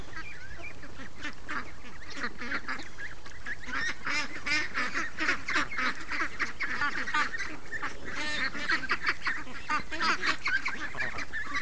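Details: A crowded group of free-range ducks, raised for 36 days, calls one morning. Rapid, overlapping quacks and nasal honks run without a break and swell slightly toward the middle.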